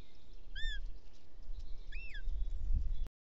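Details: Chick of Bonelli's eagle, Ports Natural Park, Catalonia, 19 June, calling for its mother to help feed it a toad; two brief arched squealing notes about a second and a half apart, low rumble beneath.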